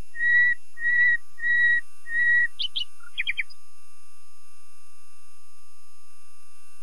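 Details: Common nightingale song phrase: four long, even, pure whistles on one pitch, about two per second, then a few short sharp clicking and chattering notes before silence.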